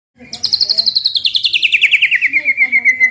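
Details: White-rumped shama 'tembakan' song meant to provoke other shamas into singing: a fast run of rapid repeated notes, roughly three per second and more, sliding steadily downward from high to lower pitch in a long trill.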